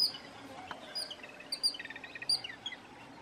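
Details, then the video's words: Jungle babbler calls: rapid runs of short rasping notes, strongest in a dense burst in the middle, while piercing high chirps from another bird cut in repeatedly. "Jungle Babblers Bird Call"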